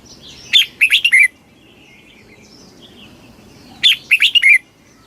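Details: Red-whiskered bulbul giving its fast 'kích bổi' song, two quick phrases of rapid, ringing, slurred whistles separated by a pause filled with soft chirps from other birds.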